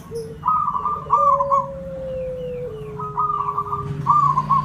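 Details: Zebra dove, local Javanese bird, singing to lure others: two rippling, trilled coo phrases separated by a long, slowly falling steady whistle and faint higher chirps.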